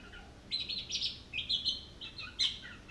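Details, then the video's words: Orange-headed thrush in continuous song, unloading its repertoire: a fainter run of buzzy and whistled high phrases over steady background hiss. "Anis kembang ngerol bongkar isian"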